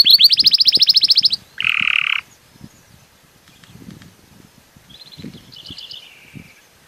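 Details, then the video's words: Belgian canary giving a quick high trill, then a short harsh buzz, followed by quiet gaps with faint soft whistled notes and low background rustles. "CANTO DO CANÁRIO BELGA"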